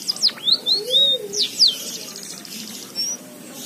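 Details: White-headed munia singing a canary-style song it has been trained to mimic: a few high, sharp whistled sweeps rising and falling, short clear notes spaced unevenly, then quieter twitters over faint background hiss.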